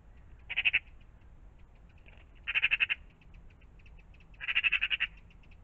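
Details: Morning magpies around a pond: three harsh, rattling chatter bursts about two seconds apart, each a fast run of rasping notes, with soft clicking notes scattered between and a low rumble underneath.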